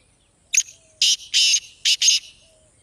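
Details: Black francolin (kala teetar) calling, a recording meant to be played near a captive bird to make it call and become active: a short sharp note, then two harsh buzzy grating notes and a paired buzzy phrase, clear and close against silence.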